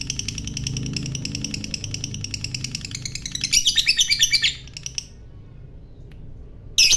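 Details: Lovebird giving ngekek chatter, meant to provoke rival lovebirds to join in. Quick repeated high notes swell into a dense burst, then fall silent before one last sharp call.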